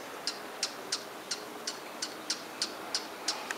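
A hummingbird gives a steady series of sharp, very high chips, about three per second, over a soft hiss.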